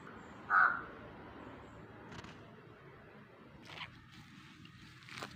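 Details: Crows near an overgrown yard being cleared; one gives a single short, harsh caw near the start, then falls quiet over a steady outdoor hush broken by a few scraping sounds.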